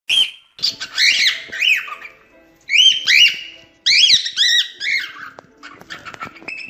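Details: Cockatiel whistling, in a recording meant to teach cockatiels to sing: bursts of bright, arched, harmonic whistled notes, several short phrases in quick succession separated by brief pauses, with some faint clicks behind.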